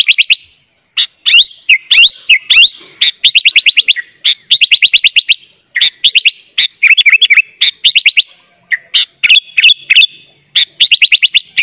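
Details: Sooty-headed bulbul singing full isian as tutor material for young birds: long sequence of rattling chip runs mixed with swooping whistles and warbled phrases, almost continuous with only short gaps.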